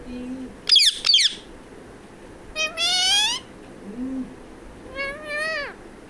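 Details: Pet talking parrot calling for its mummy to bring roti; a harsh squawk, then two drawn-out, harmonic, speech-like calls that rise and fall, with quiet pauses between them.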